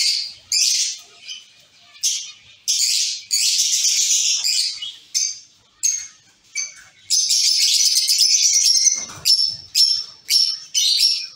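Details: Zebra finches in a caged colony giving a string of short, bright, nasal calls at a steady pace of nearly two per second, with a longer chattering run in the middle.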